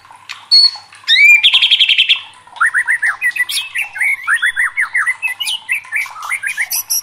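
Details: White-rumped shama (murai batu) in excited song: a clear whistle, an upswept note, and a fast rattle of high notes, then many repeated falling whistled phrases in quick, varied succession.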